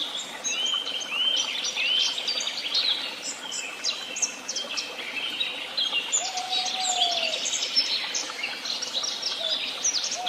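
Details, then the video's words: Several birds in Tehidy Woods sing at once, a busy mix of high chirps, quick trills and sliding whistles, with one lower drawn-out whistle midway. "Sounds of beautiful birds and the tweet of birds"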